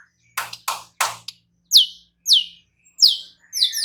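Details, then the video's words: White-rumped shama singing in reply, unloading its repertoire. Three broad rasping bursts are followed by high, clear whistles that sweep downward, each repeated about every half second. "Seketika murai batu NYAUT GACOR dan BONGKAR Muatan dengan Kicau murai ini"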